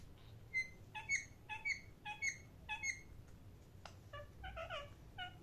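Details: Parrot chirps repeated steadily about twice a second, each a clear ringing note, followed by a sharp click and a faster jumble of mixed chattering calls.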